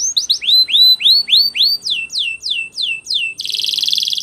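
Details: Canary training song: about a dozen clear rising whistled notes repeated steadily, then a sudden dense buzzy roll at the end.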